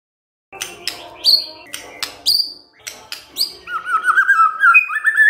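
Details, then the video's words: White-rumped shama song used as a lure to prompt silent shamas to reply: sharp, high rising whistled notes repeat at first, then turn into a run of wavering mid-pitched warbled whistles. "MURAI BENGONG LEWATTT❗Pasti NYAUT Dengar Pancingan ini"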